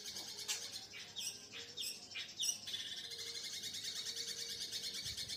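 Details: Young long-tailed shrike, recently out of its juvenile spotted plumage, singing harsh, scratchy high chirps in quick bursts, then a thin, steady high twittering, over a faint low hum.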